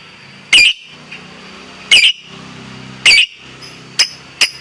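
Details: Caged competition lovebird calling actively: a handful of harsh, scratchy chirps at uneven intervals, the last two shorter and thinner, with low background hum between.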